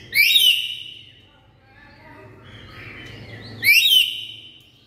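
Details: Loud calls of a black-capped lory: two shrill, rising, whistled squawks about three and a half seconds apart, rich in overtones, with softer chatter between them.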